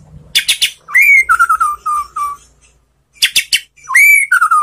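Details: White-rumped shama singing a relaxed song meant to make other shamas answer: sharp clicking chirps lead into a rising whistle and a steady series of lower whistled notes, the phrase starting again after a short gap.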